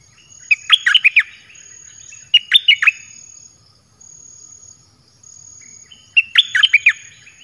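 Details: Caged red-whiskered bulbul song of the dok taeng type, for calling in wild birds. Three lively phrases of clear, swooping whistles come in quick succession, each of three to five notes, backed by a steady thin ringing tone.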